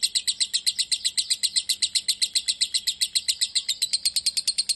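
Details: Fast, insistent lovebird chatter, nearly four sharp high notes each second, steady and loud from a bird labelled a fighter.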